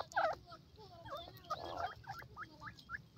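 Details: Grey francolin calling while looking up at the sky: a run of short, rising, clipped notes repeated about every quarter second in the second half, after a louder burbling phrase at the start; other birds chirp in the background.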